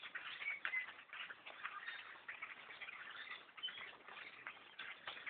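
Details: Thousands of blackbirds swarming a bow hunter's tree stand, a dense, unbroken din of overlapping chattering chips and clicks with occasional brief whistled notes poking through.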